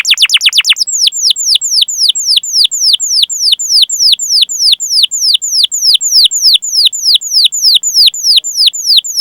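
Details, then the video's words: Canary master song used as a lure to get young, untrained or silent canaries singing, with long 'cuit cuit' calls: opening rapid burst, then steady high descending whistled notes repeated about three per second. "Masteran Suara Burung Kenari Gacor Panjang cuit cuit Ngerol untuk Pancingan Kenari!"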